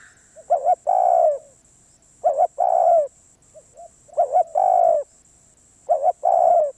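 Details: Spotted dove, described as a very stubborn wild bird, calls four times in steady rhythm: a rapid double coo and then a long hoarse croo dropping slightly in pitch. A faint short coo sounds in one gap, over a continuous high electronic tone.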